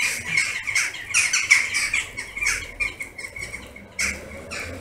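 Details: Massed western jackdaws at a favourite evening roost in August, hundreds circling above; fast, choppy sequence of harsh squawks, roughly three per second, overlapping into a noisy chatter.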